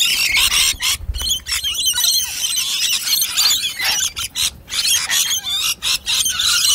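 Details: Rainbow lorikeets, a wild flock devouring nectar mix at a dish, keep up a continuous harsh chatter of high, grating squeals and screeches with brief dips in loudness.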